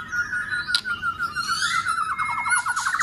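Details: Trained for contest singing, a white-rumped shama sustains a steady whistled tone that breaks into a rapid string of short looping notes, with one sharp click early on.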